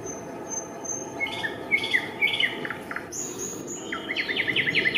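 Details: Eurasian coot family at a nest with chicks, Raszyn ponds near Warsaw, Poland, 4 May 2024: thin, high peeps and chirps come in quick irregular bursts, growing busier toward the end, over a steady low rushing background.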